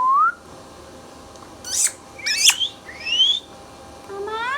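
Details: Pet ringneck parrot mixing a rising whistle with grating squawks and a long upward-sliding whistled note, ending in stacked harsh calls.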